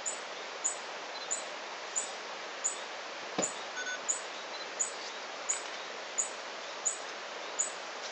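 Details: Tawny-bellied hermit at La Romera nature reserve in Antioquia, Colombia, giving short piercing high chips at a regular pace, roughly one every 0.7 seconds, with one brief low thump partway through.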